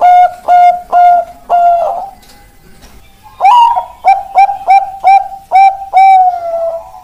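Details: Caged zebra dove of Bangkok stock singing, described as a big, long voice: a series of mellow cooing notes, a pause, then a faster run of short rising coos ending in a drawn-out note.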